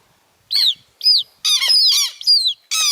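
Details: Southern lapwing chicks, noisy since hatching; a few loud curved squeaks, then dense overlapping harsh peeps from several young.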